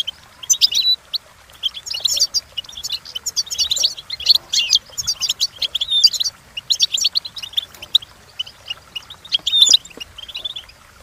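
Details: Goldfinch song for training, European: a steady stream of bright, rapid chirps and tinkling trills in grouped bursts over eleven seconds.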